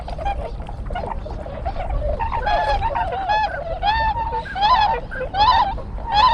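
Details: Tundra swans wintering at Sugo-swamp in Bando, Ibaraki, Japan, 6 January 2020, captured with a GoPro HERO7: loud, rich, bugling honks with nasal overtones, coming roughly once a second and growing louder toward the end, over low background rumble.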